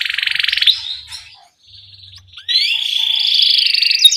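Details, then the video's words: Canary ngerol rolling song with cuit cuit chirps, played to coax very young canaries into song: a fast trill fades into a short pause, then a soft thin note and a long, steadily rising high roll. "Pancingan Kenari Gacor NGEROL Cuit CUIT Rekomendasi buat MASTERAN Kenari PAUD agar Cepat BUNYI"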